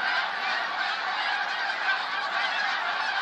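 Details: A huge flock of snow geese, 28 February 2013, producing a dense, uniform chorus of honking, with individual calls lost in the overall noise.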